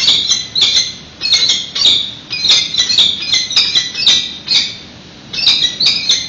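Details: Prey delivery at a peregrine falcon nest in San Francisco with the female incubating an unhatched egg; hoarse squawking notes in rapid clusters, a brief silence just after five seconds, then more cries.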